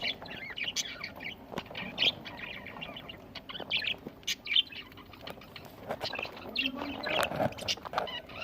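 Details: Budgies eating, recorded November 1, 2023: bright, high chirps and squeaky twitters in irregular bursts, mixed with sharp clicks and taps, likely from feeding or moving about.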